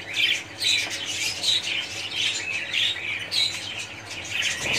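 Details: Many budgerigars calling at once in a colony: busy twittering, buzzy squeaks and short whistled notes layered densely, loudness rising and dipping, ending with a brief low thump.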